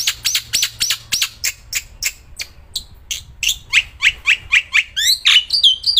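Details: Black-winged myna, a kept bird singing nonstop outdoors and while held: a quick run of dry clicking chips that turns into louder, slurred, upward-sweeping whistles and trills.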